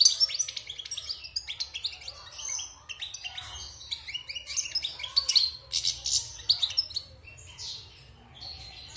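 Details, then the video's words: European goldfinch, a wild-caught bird caged after moulting, six months in the cage, pouring out dense, high, jangling twitters and buzzy trills almost without pause. "Chant de Chardonneret sauvage (Repassage)|غناء حسون خلوي خارج من تغير الريش"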